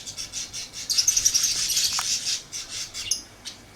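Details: Lovebird chirping: a dense, buzzy chatter of rapid high notes swells in the middle, then breaks into scattered sharp chirps.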